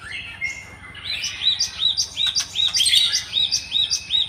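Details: Java sparrow in the wild starting with a few softer, lower notes, then breaking into rapid, regular high chirps with ticking accents, against a steady low hum.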